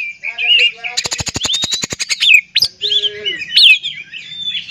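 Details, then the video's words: Oriental magpie-robin song meant to provoke other magpie-robins into singing: short whistles, a fast harsh rattle of about fifteen clicks that slows toward the end, then loud, sharp, swooping whistled notes. "PANCINGAN KACER TERAMPUH DIDUNIA"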